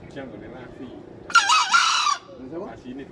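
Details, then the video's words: A green junglefowl gives a single rasping, two-part crow of under a second. Faint, soft, rising chirps are heard before and after it against a quiet background. "ayam hutan hijau berkokok"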